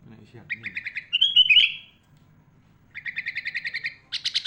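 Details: Kutilang or sooty-headed bulbul, a top-class mimic singer used as master song: a quick chirp trill, a loud slurred whistle, silence, then an even rapid trill of about a dozen notes and a harsher burst.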